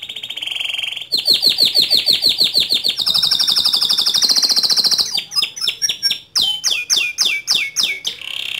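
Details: White canary singing loudly: a fast varied song of rapid trills and repeated chirps, shifting between buzzy rolling phrases, a high sustained trill and sharp descending notes, with no other sounds.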